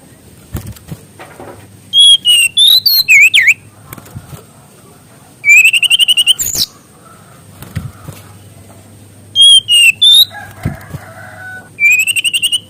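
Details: Mangrove whistler master song for training young birds: four bursts of rapid whistled notes about every three to four seconds, mixing slurred whistles with fast even trills.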